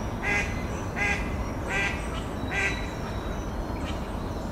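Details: Four nasal quacks from Mallards, male and female, evenly spaced about every 0.7 seconds, then quieter murmurs against a low steady rumble.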